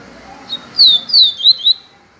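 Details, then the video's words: Yellow-bellied seedeater giving the pure "viviti" song style: a soft lead note, then four loud, high, downslurred whistles in a quick run, ending cleanly over a quiet indoor background. "papacapim PEITO AMARELO canto viviti PURO"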